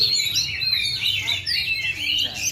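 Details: Ringed, caged Oriental magpie-robin from Central Java, Indonesia, unmoulted for two and a half years yet singing at full power: rapid, loud, high twittering phrases of sweeping whistles and trills that overlap continuously, over a low background hum.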